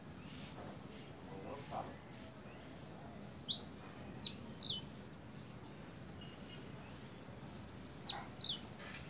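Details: Blue-black grassquit singing a double song, canto duplo. Short, high, buzzy notes come in two tight clusters about four seconds apart, each a quick pair of sharp bursts, over a faint steady background hiss.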